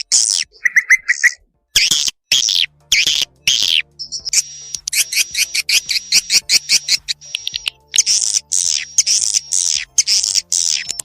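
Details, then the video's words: Swiftlet call lure from Indonesia, used by swiftlet farmers to draw birds into nesting houses: bursts of high, dry chirps and twitters, broken by short pauses and steady thin tones, with sharp edited cuts between segments. "SUARA PANGGIL BURUNG WALET"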